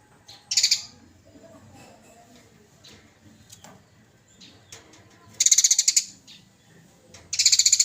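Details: Fighting Eurasian tree sparrow, a master recording for training cage birds: a short chirp burst, a quiet stretch with faint ticks, then two loud rattling runs of fast harsh pulses.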